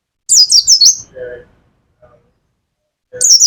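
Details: Pet mountain white-eye from Pacitan, Indonesia, singing nembak: four rapid high chirps dropping in pitch, followed by a quieter, lower tone from another source, then a renewed burst of shrill notes.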